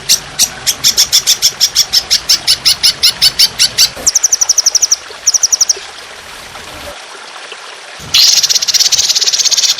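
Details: Trotolan songbird in a training recording with water sounds, described as fierce with long, harsh, continuous bursts: rapid runs of high piercing chirps, pauses, then a loud hissing rush near the end.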